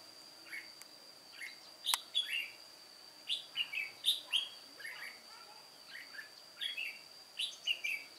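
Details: Red-whiskered bulbul of the white-cheeked type, an old decoy bird singing solo during trapping on 1 July 2018: bright chirpy whistled phrases in quick bursts, repeated throughout, over a steady high electronic whine.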